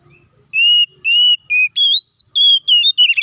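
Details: Fighting song of an Oriental magpie-robin, the ngeplong tarung style used as bait to rile other magpie-robins: a loud run of pure, sustained whistles, steady then stepping higher, ending in quicker broken notes over a near-silent background.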